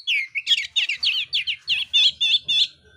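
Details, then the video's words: Oriental magpie-robin of the mintal type giving a fighting song with rough fill-in phrases: about eleven quick, wavering high chirps in a steady run, each twisting and dipping. Faint low thumps sit underneath. "kacer mintal tarung bongkar isian kasar"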